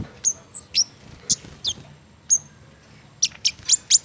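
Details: Flowerpecker, an Indonesian garden bird fond of mistletoe fruit, giving sparse, very high thin chips and short downslurred tsip notes, spaced irregularly with gaps, over a quiet background.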